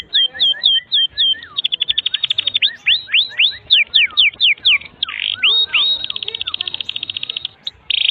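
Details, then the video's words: Canary song used as a tutor for young and silent canaries: paired whistled notes, then a rapid buzzy trill, a run of swooping downslurred whistles, and a final rolling high trill. "Kenari GACOR PANJANG INI Cocok untuk Masteran KENARI PAUD dan Kenari Macet BUNYI"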